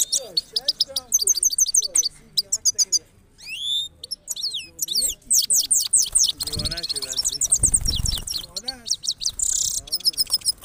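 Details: Male Himalayan goldfinch singing powerfully to a female, one of a pair: fast, high twittering runs of sharp tinkling notes in dense bursts, with lower slurred calls and some background noise mixed in.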